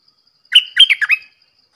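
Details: A red-whiskered bulbul sings one brief bubbling phrase of four warbled, slurred notes, clear and close in a quiet setting.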